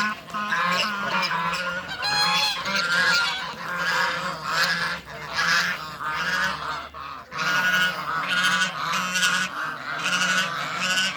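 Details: Toulouse geese, male and female, meet in a backyard and honk almost without pause, a dense chorus of harsh nasal calls from several birds, roughly one honk per second, overlapping throughout.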